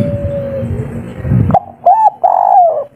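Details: A local wild spotted dove singing a three-note call: soft, mellow hooting coos, three rounded notes in quick succession, after a brief stretch of low rumbling background noise.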